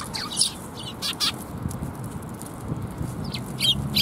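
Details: Sparrows coming for food at a Tenmangu shrine on 7 January 2021: a few short, high chirps scattered through four seconds, with pauses between them, over a steady low rumble of background noise.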